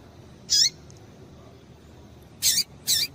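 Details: Female Double-collared seedeater calling to stir males into song. One sharp high chirp with a down-curving tail, a pause of nearly two seconds, then two similar chirps in quick succession. Faint steady hiss behind.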